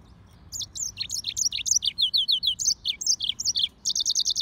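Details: A Mozambique serin (yellow-fronted canary) x canary hybrid sings a fast, bright warble of high chirps and slurred notes, ending in a quick run of five repeated notes over a faint low hum.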